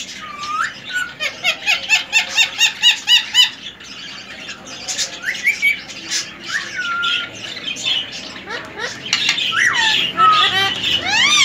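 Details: Semi hand-tamed three-year-old male ring-necked parakeet, healthy and active, giving a fast run of repeated sharp squawky notes, then varied whistled slurs and rising squeaks, with a person's voice nearby indoors.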